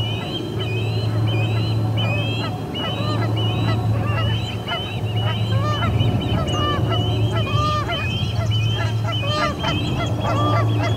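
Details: Ospreys at the Charlo P2 nest on 20 August 2020 around 12:10 pm, a resident pair ejecting returning visitors: rapid series of short whistled chirps, repeated steadily, over a constant low electrical hum.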